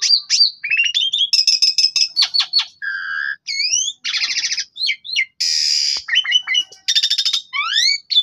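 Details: Javan pied starling singing a varied, chatty song full of fill-in phrases, meant as a lure for a silent bird; rapid whistles, rattles, a low nasal note, rising slurs and harsh buzzy bursts.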